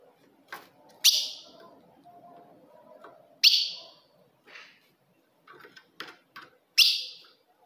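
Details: Female ultramarine grosbeak calls aimed at provoking a male: three loud, sharp, high notes spaced about two and a half to three seconds apart, with a low murmur and scattered clicks between.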